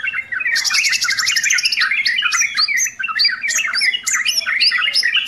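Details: Sooty-headed bulbul singing a full-content song: dense, rapid chattering phrases of warbled notes, with bright high buzzy trills layered over the top and almost no pause throughout.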